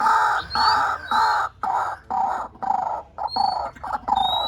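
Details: Harsh, broad croaking phrases from a white-breasted waterhen on a lure recording, each lasting about half a second and separated by short pauses; thin rising whistles of another bird overhead.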